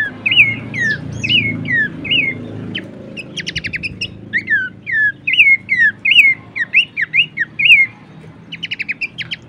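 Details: Horsfield's babbler training and lure song: a string of short curling whistles repeated about once a second, broken by two quick bursts of dry, clicking chips, against a low rumbling hum.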